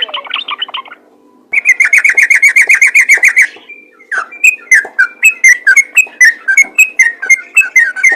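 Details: Sooty-headed bulbul call for drawing in and stirring other bulbuls. A soft, jumbled warble comes first, then a fast run of buzzy whistled notes, then a slower series of clear, alternating whistles.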